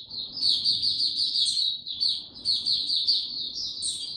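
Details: White-eye song recorded 29 April 2022 from a bird given no supplements: two rapid bursts of shrill, buzzy twittering, each lasting about one and a half seconds, over a soft hiss of background noise.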